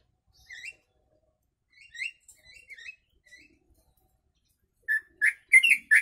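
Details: Yellow-vented bulbul singing with imitated sooty-headed bulbul phrases, for tutoring other birds: a scattered series of short slurred whistles, then a louder burst of rich, rapid warbled notes near the end.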